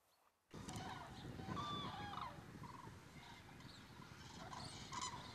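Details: Resting flock of common cranes in the Rehden Geestmoor, Diepholz moor lowland, Germany, on 5 October 2016 in autumn, filmed with a Sony camera. Dense, overlapping chatter of many birds, with a few clearer ringing tones standing above the constant murmur.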